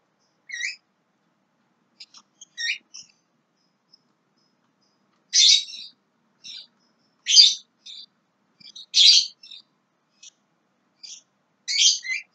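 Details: Young Javan myna giving scattered, harsh, scratchy bursts of high chatter, spaced irregularly with short silent gaps between them.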